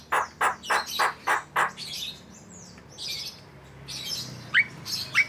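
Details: Asian pied starling (jalak kebo) training recording for cage birds: six evenly spaced rough harsh calls, then soft chatter and two brief upslurred whistles.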